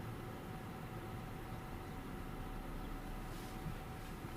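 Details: Steady low rumble like a train or vehicle, with faint hum and no animal sound.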